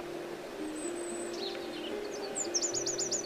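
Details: High, thin Eurasian wren notes in Morocco give way to a fast, sharp trill of about four notes a second, over a low steady hum.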